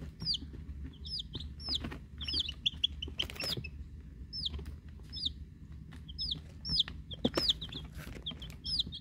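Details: Week-old chicks, Rhode Island Red and Black Sumatra hens plus one mystery chick, peeping continuously in high, hooked, falling notes, often two or three close together, with bursts of rustling and pecking noise and a faint hum.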